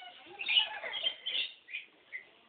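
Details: At Lake Conjola, parrots chatter in a dense, scratchy mix of squawks and chirps that build to louder bursts, then thin to a few short calls.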